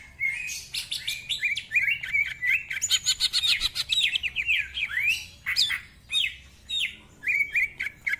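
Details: Greater green leafbird, a cagebird singing continuously ('gacor') in the 'ngentrok' style with rich 'isian' fills: varied rapid chirps, buzzy bursts and sliding whistles, often rising or falling, in an unbroken stream for eight seconds.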